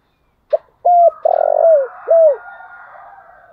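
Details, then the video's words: Spotted dove decoy bird giving its morning calling coo: a short clipped note, then a level hollow coo, a long rolling burred coo that slurs downward, and a final falling coo, fading into a faint soft hum. "Chim cu gáy thúc gáy gọi buổi sáng/ tiếng chim cu gáy mồi gáy gọi"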